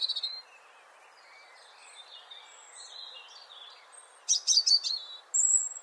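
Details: European robin (Erithacus rubecula) singing thin, high, wavering warbles that slide and trill, ending in a few louder tinkling bursts over a soft background hiss.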